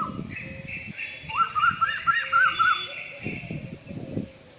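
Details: Female Asian koel delivering a rapid bubbling run of shrill clipped notes, about eight in quick succession, with softer background bird calls and low rustling.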